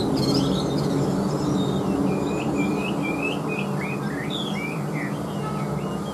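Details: Chinese hwamei in captivity delivering a rhythmic series of curling, slurred whistles, repeated several times a second, against a constant low rumbling background.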